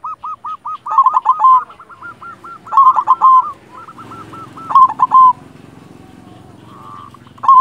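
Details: Local silver zebra dove (perkutut) singing: rapid trains of hooked cooing notes interleaved with three loud, rolling flourishes, then quieter murmuring and a final short coo.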